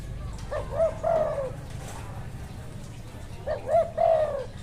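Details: Wild spotted dove cooing: two phrases, each a few short rising coos leading into a longer, drawn-out falling coo, about three seconds apart, over low background rumble.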